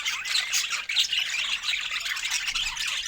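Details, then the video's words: Pet budgies gathered over fruit, giving a steady, busy wash of harsh warbles and rapid chirps that barely pause, several birds overlapping in a bright, scratchy chorus. "Cute Budgies Sharing Fruits with Funny Happy Sounds"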